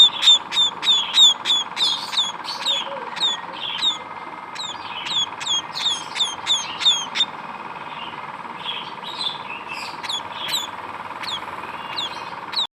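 Munia chicks give thin, high chirps in rapid bursts of several per second, falling quieter midway and then resuming, over a steady background hum.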